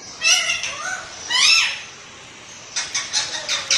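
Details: Pet green parrot talking like a human: two harmonic, voice-like phrases with rising and falling inflection, then a quiet gap and a run of five or six short, sharp syllables in quick succession.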